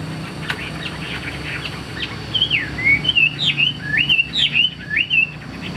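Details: A caged Hwamei, a tame bird on the right described as a good singer, delivers a series of looping, swooping whistled phrases, each rising and falling, roughly two per second, over a faint steady hum.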